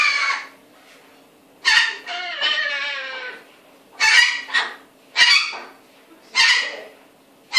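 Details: Indoor cockatoo mimicry: short harsh honk-like squawks and a longer wavering nasal call, bursts coming every second or so amid quiet gaps and a low room hum.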